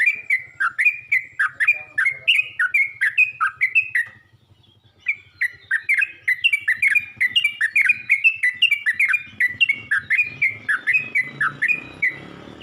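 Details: Yellow-vented bulbul calling other bulbuls: long runs of bubbly, bending chirps delivered rapidly, a brief break near four seconds, then another extended chattering run, with rising background rustle near the end.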